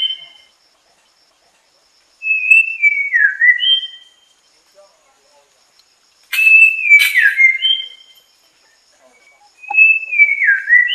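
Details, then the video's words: A white-rumped shama sings rich, fluty whistled phrases that slide downward, mixed with a few harsh notes, in three bursts spaced a few seconds apart. "白腰鵲鴝/White-rumped Shama(Kittacincla Malabarica)singing"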